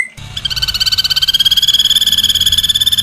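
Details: Ashy drongo giving a long, rapid tembakan series, recorded for training songbirds. A steady, high, rattling trill of closely packed pulses starts after a short note and holds an even pitch to the end.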